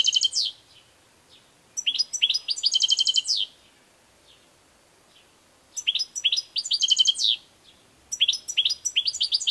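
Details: European goldfinch singing in repeated phrases: each opens with sharp rising chirps and runs into a dense, fast, buzzy high trill lasting over a second, separated by short quiet gaps with faint single notes.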